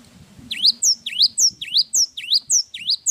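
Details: Java sparrow in vigorous long song: loud, sharp chirps sweeping down then steeply up, repeated about twice a second in a steady run after a short quiet start.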